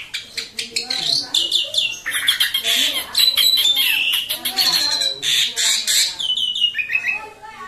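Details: A pet Asian pied starling, which calls very noisily whenever visitors, especially strangers, arrive, pours out loud, harsh squawks and grating chatter, run together almost without pause, with high creaky notes throughout.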